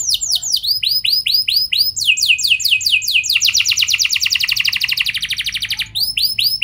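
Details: Canary song used to coax other canaries into singing: slow curved whistles, then faster falling sweeps building into a dense rapid trill, returning to spaced whistles.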